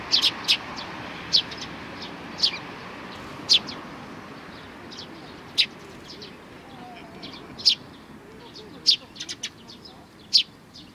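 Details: Sparrows at a Tenmangu shrine, 22 May 2019: brief high chirps spaced about a second apart, some in quick pairs or triplets, above a soft rumbling background.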